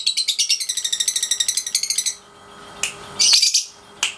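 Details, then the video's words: Lovebird, 3.5 months old, practising ngekek: two seconds of fast, evenly pulsed high chattering notes, followed by a few sharp isolated chirps and a brief harsh burst. "Love Bird Pasjo si Vicy Latian Ngekek Harian usia 3,5 bulan"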